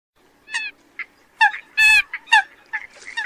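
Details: Eurasian coot recorded in the 2020–2021 season gives short, nasal, honking calls, about seven in three seconds at an uneven pace, with one longer, harsher burst in the middle.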